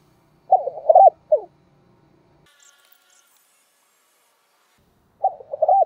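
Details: Spotted dove lure call for trapping: a burst of quick stuttering coos, a pause with a faint high squeak, then another run of rapid low coos at the end.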